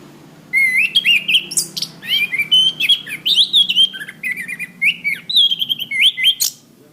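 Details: Sustained orange-headed thrush song on a master recording for training cage birds: seven seconds of continuous, varied whistled phrases with wavering and rising notes, nearly without a break.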